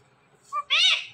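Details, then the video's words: Indian ringneck parrot kept as a pet, talking: a short buzzy syllable followed by a louder, high, nasal, harmonic word that rises then falls, clear against a quiet indoor background. "indian ringneck talking parrot"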